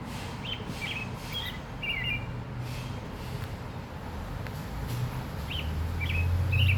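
An oriole gives short, clear whistled phrases of two or three notes, with pauses between them, over a steady low rumble of wind or distant traffic.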